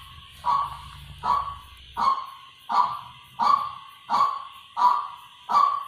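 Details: Repeated decoy notes from a white-breasted waterhen: eight harsh, falling calls at a steady rhythm, with a low rumbling noise during the first two seconds.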